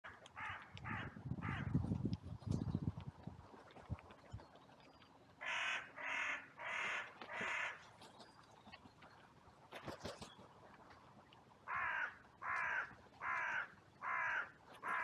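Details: Crows feeding in a cemetery on a sunny day, filmed by trail camera; harsh, hoarse caws come in evenly spaced bursts of three, four and five, with low rumbling noise early on and a sharp click midway.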